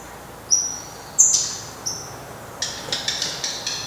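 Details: Black redstart calling at its nest on 24 May 2020 as the last surviving chick leaves; three high thin whistles at half-second-plus gaps, then a string of dry ticking clicks.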